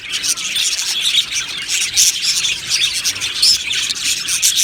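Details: An aviary colony of happy budgerigars chirping together, bright overlapping twittering and squeaky warbles forming a busy, unbroken wall of high-pitched chatter.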